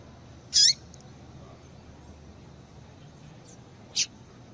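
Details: Female yellow-bellied seedeater calling to warm up males: one strong, high, sharp chirp, faint soft notes, then a second, shorter chirp about three seconds later, in otherwise quiet surroundings.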